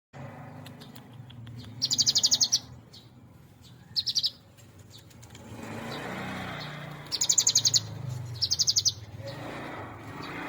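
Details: Hand-raised cinereous tit, kept since a nestling and now nearly adult, singing in a full-fill style: short, rapid, buzzy high trilled bursts in separate groups, over steady low vehicle rumble.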